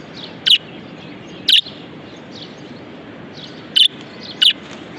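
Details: Single pet budgie repeating brief, sharp, shrill chirps, four notes spaced irregularly about one to two seconds apart, with a faint hiss underneath.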